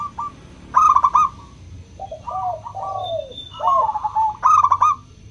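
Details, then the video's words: Zebra dove of the local type with a 'crystal' voice, used to stimulate doves that rarely sing: two loud trilled coo phrases frame softer, lower, drawn-out coos from another dove in the background. "Pancingan PERKUTUT LOKAL suara KRISTAL, untuk memancing perkutut susah bunyi"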